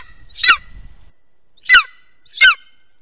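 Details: Golden eagle at a webcam-monitored nest in Estonia, 2021: three loud, sharp yelping calls with harmonics sliding downward, at uneven gaps of about one second and under a second, with a faint low rumble early on.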